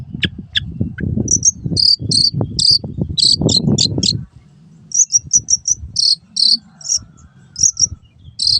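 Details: Long-tailed shrike master song for retraining caged shrikes that fall silent: a few thin descending notes, then repeated high scratchy chirps in short bursts, continuing intermittently, over steady low rumbling noise.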